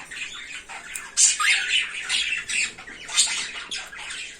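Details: Naughty pet cockatiel giving harsh, raspy squawks in quick bursts, about four a second, bright and scratchy, indoors with little other sound.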